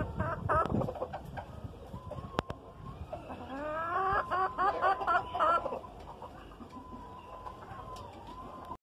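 An Asil hen gives a run of quick, throaty clucks that swell into wavering, drawn-out notes, with a thin steady whine in the background.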